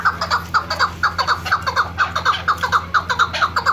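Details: A female chukar partridge (Alectoris chukar) gives a steady run of clucking, mid-pitched notes, about four a second, over a low constant hum; a female call used as a hunting lure.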